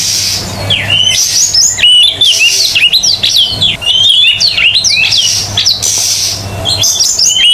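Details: Lively Oriental magpie-robin (kacer) song for training magpie-robins that have gone quiet: a continuous stream of quick rising and falling whistled notes with scratchy trills, against constant hiss and low hum.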